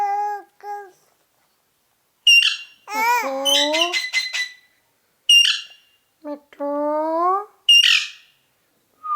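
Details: A talking ring-necked parakeet strings together several mimicked word-like phrases, some smooth and harmonic, others with harsh high clicks and rasps between them.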